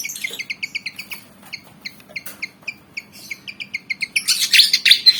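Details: Javan fantail, black and white, eager to fight: a steady series of short bright chirps, about three a second, each with a higher overtone, ending in a burst of loud, dense twittering.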